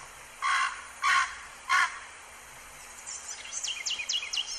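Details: A Muscovy Duck at Sonso Lagoon, tropical dry forest in Valle del Cauca, Colombia, gives three short, hoarse, croaking calls about half a second apart, followed by thin, high, falling chirps from other small birds.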